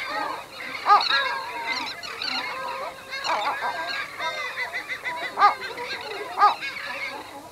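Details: Close recording of two Western gulls at a nest in low-intensity anxiety, overlapping throaty, nasal calls with occasional sharper clipped yelps standing out, a busy calling background, and terns also noted nearby.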